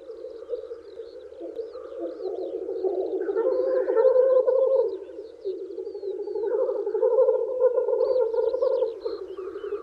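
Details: Spring lek of male black grouse courting females: continuous throaty bubbling rookoo chorus that swells loudest around four and eight seconds, with harsh hissing bursts mid-clip and scattered high twittering of other birds.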